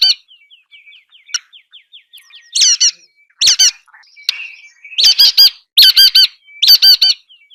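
Nuthatch giving nasal, bright calls in quick bursts of two or three, with a faint thin trill of high notes in between.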